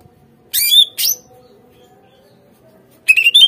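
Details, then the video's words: Greater green leafbird song used as a lure to get captive birds to respond and sing: two short buzzy, harsh notes, then a pause and a pair of rapid chattering warbled phrases. "PANCINGAN SUARA CUCAK IJO | AGAR CUCAK IJO BAHAN MAU NGERESPON DAN GACOR"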